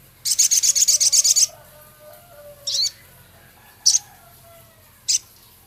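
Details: Caged male Javan cochoa in a training recording featuring Scarlet minivet imitation: a fast run of about ten sharp, high ticking notes, then three isolated rasping chips spaced a second apart, over a faint hum.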